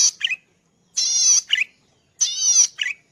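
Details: Cici padi, or zitting cisticola, recorded as master song for teaching cage birds: three raspy, buzzy bursts, each closed by a short lower twisted note, about a second apart.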